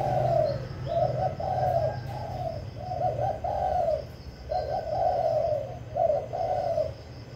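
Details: Spotted dove singing as a lure bird to provoke rivals, with rhythmic hollow coo phrases repeated in quick succession and a steady low hum behind.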